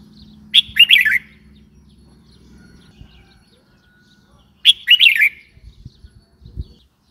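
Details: Red-whiskered bulbul calling: two short bursts of bright, warbled notes about four seconds apart, each a quick tumbling phrase of slurred whistles, with faint low hum and a few soft knocks between.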